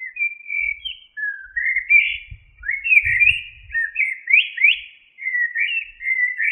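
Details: Common blackbird, locally called zaryab, pours out a continuous, flowing whistled song of rising and falling fluty notes with few breaks, over a faint low rumble.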